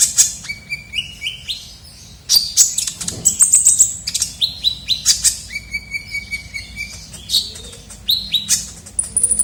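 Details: Kolibri ninja sunbird, a lively lure recording for attracting birds: stepped high whistles, then dense, fast twittering of sharp very high notes and level whistled tones, continuing throughout.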